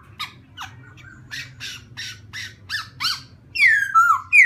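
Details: Laughingthrush song played to provoke another bird, with a series of harsh buzzy notes followed by loud clear whistled slurs that fall then rise, over a steady low hum.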